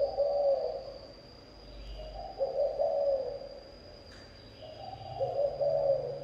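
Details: A spotted dove coos in 'thổ âm' style: deep, rounded notes run together into soft, wavering phrases, several phrases heard, with a faint steady high hum in the background.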